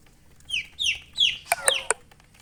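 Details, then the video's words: Baby chicks chirping: three loud high peeps sliding downward, about one every third of a second, followed by sharp clicking knocks over a quiet background. "Baby "Chicks Chirping" Sound"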